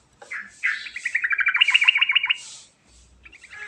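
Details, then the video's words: Yellow-vented bulbul (trucukan) calling in a rolling 'ngerol' style with rich fill, meant as a lure: a quick chattering run of bright, bubbly notes lasting nearly two seconds, then a short gap and a fresh burst of similar notes. "Panggilan Burung Trucukan Andalan Ngerol Isian Mewah Paling Bagus untuk Pancingan"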